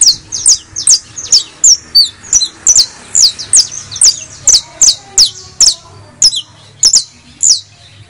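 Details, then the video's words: Criollo saffron finch singing continuously, recorded to stimulate other birds to sing: dense, bright, high-pitched chirps sliding downward, often doubled, delivered about two per second throughout, over faint low hum. "AUDIO PARA ESTMULAR CANTO DE CANRIO DE TERRA CRIOLLO"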